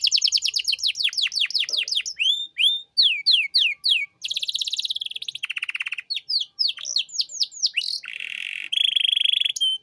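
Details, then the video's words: Canary singing as a master for training young birds: rolling high trills, repeated falling whistles, dense buzzy rattles and steady tones, changing phrase every second or so, delivered loud and clean. "Masteran Kenari Gacor Cengkok Mewah untuk Burung Bahan"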